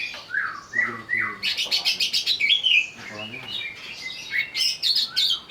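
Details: Agitated greater green leafbird provoked into song, mixing slurred whistles with fast, pulsing buzzy notes repeated several times a second, then a varied warbled ending.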